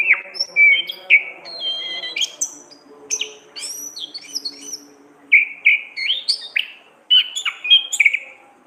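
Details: Orange-headed thrush singing busily in the ngeplong gacor ngriwik style, a tutor recording for songbirds: rapid varied chirps, short whistles and sharp upslurred notes in dense bursts, with a faint low hum beneath.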